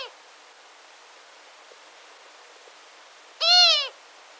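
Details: Female long-eared owl (Asio otus) giving a contact call near the nest: one nasal, squeaky call, a slight arch in pitch lasting half a second, after a quiet stretch with a clipped note at the start.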